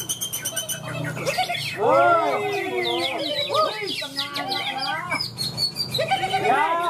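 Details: Green leafbird competing at a songbird contest in Malinau, North Kalimantan, Indonesia, where it won best in class. It pours out rich, varied song of looping, arched whistles and rapid chattering phrases, with other birds calling and voices murmuring.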